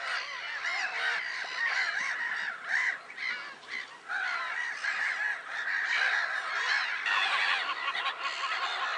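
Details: Black-headed gulls at Lake Sarymsak, Pavlodar region, Kazakhstan, 10 April 2011: a busy, ongoing din of harsh calls with short dips in loudness between louder surges.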